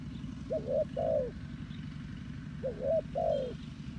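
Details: Spotted dove used as a decoy to lure wild doves for trapping, giving two paired phrases of low, mellow coos, each a short rising note followed by a longer falling one, over steady low rumbling background noise.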